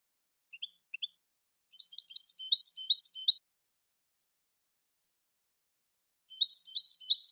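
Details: European goldfinch song phrases: a few soft opening chips, then a long, tumbling, high twittering warble over one and a half seconds, a silent pause, and a second twittering run starting up, in clean silence.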